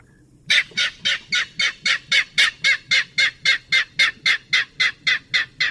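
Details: King Rail, a bird of freshwater cattail marshes, giving a long series of harsh, loud grunting notes, about three to four per second. The notes are very even in pace and loudness, and nothing else is heard.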